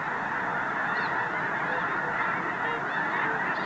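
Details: Dense chorus of honking wild geese on a dark, overcast morning at Squaw Creek National Wildlife Refuge, Mound City, Missouri, concentrated on unfrozen water before their morning flight to feed in fields; many overlapping nasal honks without pause.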